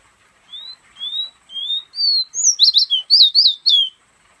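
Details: Pet fire red from Guyana whistling from a hand. Four evenly spaced rising whistles grow louder, then a rapid burst of high, sharply slurred notes follows. No other sounds.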